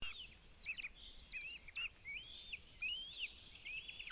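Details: Two Northern goshawk chicks at a nest in Zemgale, Latvia, gobbling food as their mother brings it, beg with thin, high squealing whistles that slur up and down in a quick, restless stream over a faint hiss.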